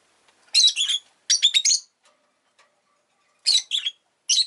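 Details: Pet rosy-faced lovebird calling in quick bursts of three to four shrill, grating chirps, a pause of over a second, then two more short bursts.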